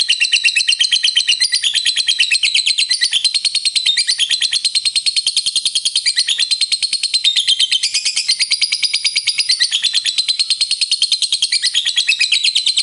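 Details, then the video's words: Lovebird giving a long ngekek song, the trilling chatter kept by bird hobbyists to stir other lovebirds. A continuous, rapid, high-pitched stream of harsh chattering pulses runs unbroken for about thirteen seconds without pause. "Suara Burung Lovebird Ngekek Panjang Pintar Naikkan Emosi"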